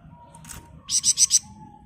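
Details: Flamboyan bird in ngebren song for training other birds: a faint note, then four loud, evenly spaced, high buzzy pulses in quick succession over half a second, over a low hum.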